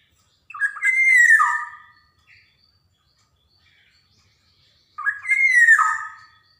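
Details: Javan black-naped oriole singing lively varied phrases, used as a lure recording to get young birds to sing: two rich fluted whistles with a bright falling slur, about four seconds apart, separated by near silence and a short faint note.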